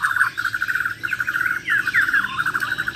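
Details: Bornean white-rumped shama, a champion contest bird, delivering rapid-fire besetan: a steady machine-gun string of short clipped notes with quick slurred whistles mid-phrase during a head-to-head mental test.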